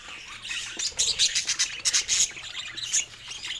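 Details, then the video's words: Pet budgies showing happiness with rapid bright chirps, sharp high tweets in fast bursts of several per second, over softer background twittering. "Budgie Laughter and Chirps — The Sound of Happiness"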